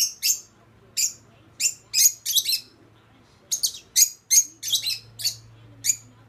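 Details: Young pet lovebirds circling each other in a mating ritual, the older female growing annoyed; loud, sharp high chirps in irregular bursts and doublets, two groups separated by a short pause.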